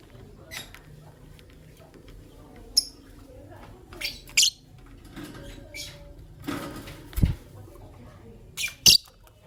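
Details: Green Personata and albino lovebirds chirp in the morning, producing sharp isolated squeaks and short rasping bursts at irregular intervals, with a dull low knock and quiet background hum.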